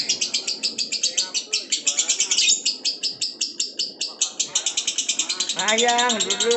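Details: Continuing long ngekek trill of a lovebird, rapid piercing chatter repeated evenly as men comment on its length nearing two minutes.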